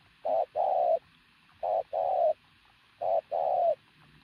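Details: Muscular decoy pigeon cooing loudly in three evenly spaced pairs, each a short clipped coo followed by a longer steady one, repeated roughly every 1.4 seconds against a quiet background.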